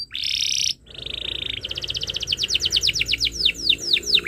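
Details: Canary tutor song for young birds: a loud harsh trill, a short gap, then a steady rolling trill that opens into a long series of accelerating down-slurred whistles.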